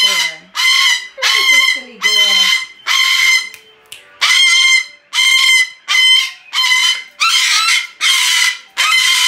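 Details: A 23-year-old female umbrella cockatoo, rescued about six months earlier, screams repeatedly in her first days with new owners: harsh, loud, raspy half-second shrieks, more than one a second with brief gaps.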